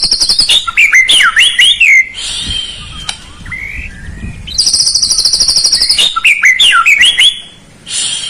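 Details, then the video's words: Lure song for provoking a lazy white-rumped shama to sing: varied looping whistles, a quieter stretch with soft notes, then a long high buzzing trill and more whistled phrases. "PANCINGAN PALING JITU UNTUK MURAI YANG MALAS BUNYI"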